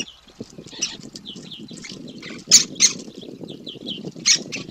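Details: Fed young great spotted woodpeckers begging, giving continuous high squeaky chirps broken by a few loud sharp bursts, with steady low rustling throughout.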